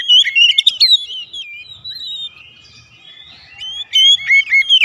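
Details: Whistled oriental magpie-robin song meant to prompt home-kept birds to sing: a loud opening flurry of rising and falling notes, a long soft lull with faint warbling, then brisk clear whistles return.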